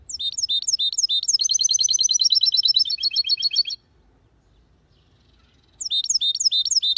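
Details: European goldfinch hybrid in song, clean and loud: rapid twittering phrases run into a long buzzy trill of quick repeated notes, a two-second pause, then the twittering starts again.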